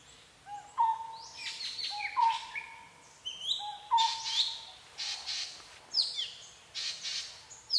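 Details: Wild birds singing in forest at Phu Sing, Sisaket, Thailand: a mid-pitched whistled note repeated roughly every one and a half seconds, overlaid by sharper high chirps and twitters from other birds.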